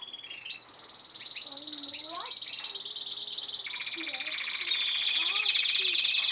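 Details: Canary song building from scattered chirps and slurred sweeps into a loud, sustained, fast rolling trill that grows steadily louder.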